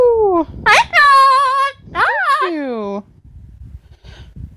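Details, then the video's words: Amazon parrot kept as a pet vocalizing indoors: rich harmonic tones, first a falling note, then a long wavering voice-like sound, then a rise-and-fall swoop dropping low. Quiet room noise follows. "The many sounds of Lily, an amazon parrot"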